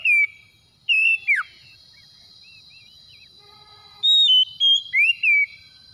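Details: Oriental magpie-robin lure song for coaxing a quiet magpie-robin: loud arching and steeply falling whistles, then a soft gap with faint chatter, then another quick run of bright whistled notes.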